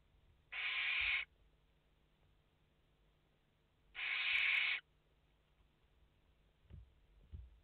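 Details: Five barn owl chicks in their nest on a live feed, 29 August 2021: two drawn-out noisy hisses about three seconds apart, then soft thuds of movement.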